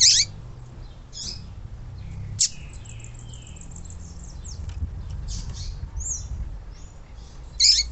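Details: Female yellow-bellied seedeater call used to stir up and prepare males: several loud, high, harsh chips spaced over a few seconds, with faint thin whistles and chirps from other birds and a low hum behind.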